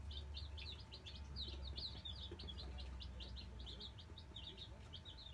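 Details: Nine Black Australorp chicks newly placed in their brooder keep up an unbroken stream of shrill, short peeps, many birds calling at once, with a steady low hum underneath.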